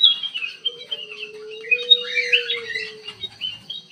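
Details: In an aviary, a ruby-throated bulbul pours out jumbled, tumbling whistled notes, dense and warbling, with a level low tone running underneath most of the time.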